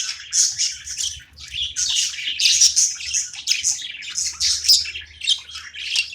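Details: Pet budgerigar chattering at play, quick clusters of raspy high chirps and squeaks in an uneven rhythm, with low room hum below.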